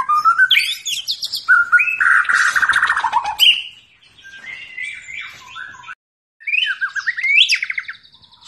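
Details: Fighter-style white-rumped shama song, loud whistles and a harsh buzzy burst, then a quieter stretch of scratchy chattering, a brief gap, and renewed sweeping whistled phrases.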